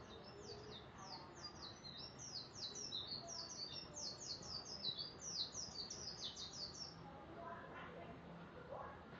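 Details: Canary singing a long, fast run of high, sharp chirped and trilled notes, repeated about two or three times a second, with steady low background hiss.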